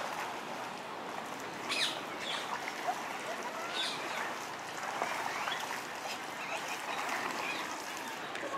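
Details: Canada geese on the Serpentine, a family of five goslings with two sets of parents rushing around crazily and diving, give harsh, nasal honks amid busy squabbling calls over steady outdoor hiss.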